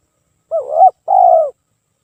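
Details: Lure recording of a spotted dove: a brief undulating coo, then a longer smooth coo that fades lower, together making one low, mellow phrase in clean silence.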